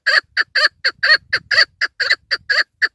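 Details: Loud, hoarse clucking notes from a female chukar partridge, used to lure birds when hunting, come in a quick regular series over three seconds with faint low background rumble.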